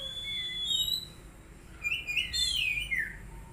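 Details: Magpie-robin in training, giving drawn-out whistles at differing pitches followed by a varied, sweeping phrase of rising and falling slurred notes over a soft background hum.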